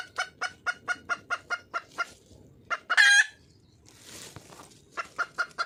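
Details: Red junglefowl hen, wild, calling for a male: a steady series of sharp clucks, one loud harsh cackle, a brief rustling noise, then the clucking resumes.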